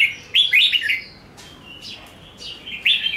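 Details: Red-whiskered bulbul giving a fighting song in the ché nẹt style, played to stir up other bulbuls: short bursts of bright, slurred whistled notes, some rising then falling, separated by brief pauses, with quieter notes between phrases.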